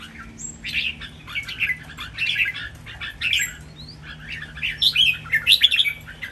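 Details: Competing caged red-whiskered bulbuls give a lively doubled master song: a steady run of short sweet whistled phrases, building louder toward the end.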